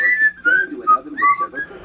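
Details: A male pet cockatiel, just out of his cage, greets his owner returning from work by whistling a string of clear, sliding notes, some rising and some falling, learned TV and film theme tunes.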